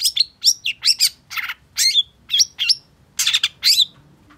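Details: Long-tailed shrike song used to stimulate a caged bird that has stopped singing: a varied run of sharp, high chirps and buzzy rasping notes, quick slurred whistles mixed in, delivered in rapid bursts with brief pauses.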